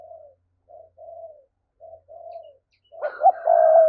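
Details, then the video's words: Spotted dove thúc-style cooing, played to stir up wild doves for trapping: several soft, low coos in short spaced groups, then a louder, fuller coo phrase with a fainter higher tone over it at the end. "Giọng cu gáy thúc hay, anh em mở lên kích bổi rất hiệu quả"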